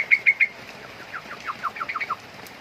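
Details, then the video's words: Three loud, sharp chirps from a young sooty-headed bulbul, followed by a quick descending series of about ten softer slurred notes. "burung curukcuk muda"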